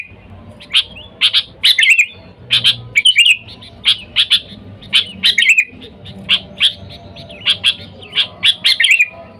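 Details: Sooty-headed bulbul calling to wild birds, a lively call used to lure bulbuls: bright, sharp chirping notes given in quick pairs and clusters, each burst followed by short pauses, with a low hum in the background.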